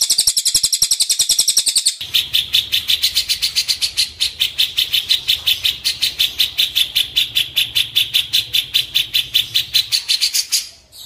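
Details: Cililin song, used for teaching songs to white-rumped shamas: two seconds of high, dense trilling give way to a long steady series of sharp, ringing chips, about two or three each second, over a faint low hum.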